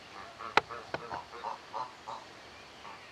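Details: African geese in a family group, giving short nasal honks spaced irregularly over three seconds, with a couple of sharp clicks or knocks near the start.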